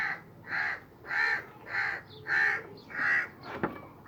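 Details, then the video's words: Crow perched on a sheep's back, cawing: six harsh, nasal caws about every 0.6 seconds, evenly spaced, followed by a sharp click. "Crow Sitting on Sheep Back, Making Noise"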